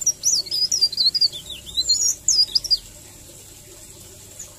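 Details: Leaf warbler in a rolling, melodious song style used as a tutor recording: high, fast twittering of thin, twisting whistled notes in a continuous run for about three seconds, then quiet.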